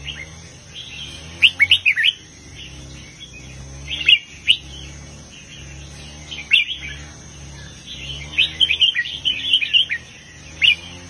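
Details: Red-whiskered bulbul in a heavy southern master-song style, aimed at rousing other bulbuls: scattered bright chirping phrases across the stretch, a busier bubbling run near the end, with a faint persistent electronic whine.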